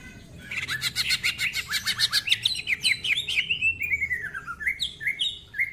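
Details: Greater green leafbird, a 'gacor' singer in 'ngentrok' style with rough voice and lavish 'isian': dense buzzy trilled notes for three seconds, then a long falling slur and scattered high chirps.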